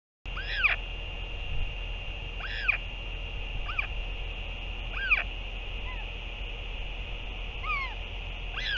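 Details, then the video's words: A parent Northern royal albatross returning to feed its chick, 8 June 2023: repeated arched, downward-curving harmonic calls roughly every two and a half seconds, with a few softer short notes between them over a constant low hum. "Northern royal albatross 08 06 2023 2 ~ GLY return & feeding"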